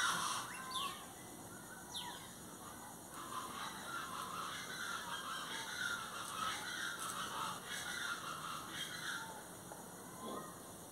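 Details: Plain chachalaca calls, harsh and grating, come in uneven bursts through a noisy background. Two brief rising whistled notes from another bird sound near the start.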